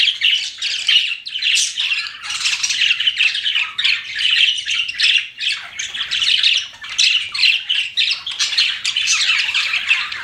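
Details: Several pet budgerigars chattering steadily, dense scratchy warbles and squawks packed together with hardly a pause, rising and falling in loudness throughout.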